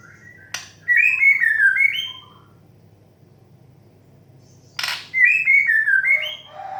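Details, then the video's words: White-rumped shama song for training young, stressed or new birds, in the 'desahan menggoda' style. Two bursts of noise, each followed by a brisk run of clear, wavering whistles, with a quiet pause between them. "TERAPI MURAI BATU MUDA, STRES, DAN BAKALAN AGAR CEPAT GACOR DOR DENGAN KICAU DESAHAN MENGGODA"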